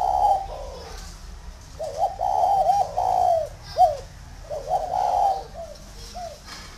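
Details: Tame, large spotted dove at a farm in Ba Vì, Vietnam, uttering loud throaty coos. Short wavering notes bunch into phrases, with clipped single coos between them, over a quiet background.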